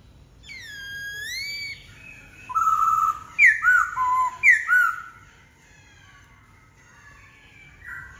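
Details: White-cheeked laughingthrush giving a rising whistled note, then a loud cluster of squeaky, warbled phrases, fading to softer scattered notes.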